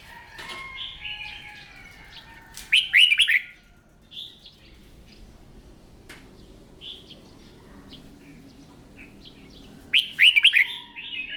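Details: Red-whiskered bulbul in morning song practice gives two loud rolling warbled phrases about seven seconds apart, with soft chirps and a quiet background between them.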